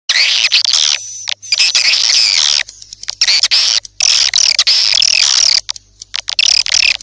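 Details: Swiftlet sound: dense, high, scratchy twittering chirps delivered in bursts with short silent breaks between them. A faint low hum runs underneath.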